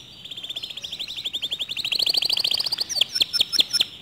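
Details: Canary song said to often stir other canaries into singing along: a long, fast trill of rapid high notes that rises slightly, then breaks into sharper, louder separated chirps near the end. Background is clean.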